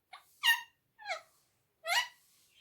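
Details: Talking pet ring-necked parrot saying words in Urdu/Hindi: three short rasping, speech-like bursts separated by brief pauses, indoors with no other sounds.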